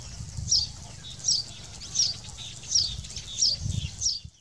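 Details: Saffron finch in the wild: high, thin chirped notes repeated about every three quarters of a second, fairly faint, over low rumbling background noise.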